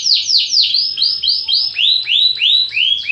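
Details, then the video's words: Canary singing a sequence of high, arched whistled notes, first falling then rising in pitch, repeated rhythmically several times a second. "تغريد مع جميع أنواع طيور الكناري"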